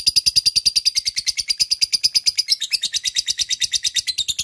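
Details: Long ngekek chatter of a lovebird used as a lure for rivals: rapid harsh high notes in a steady, pulsing rattle, the pitch wavering slightly midway.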